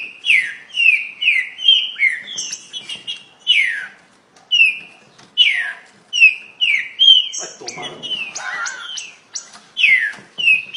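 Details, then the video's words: Very fast song of a green-winged saltator: a long run of loud, clear downslurred whistles and sharp upward flicks, delivered in rapid bursts; a brief rustling, noisy patch intrudes midway. "Trinca ferro muito rápido"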